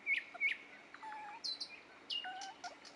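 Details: Short phrases from a nightingale at Dubki: two loud sharp chirps, then varied whistles, some falling in pitch and some flat and sustained.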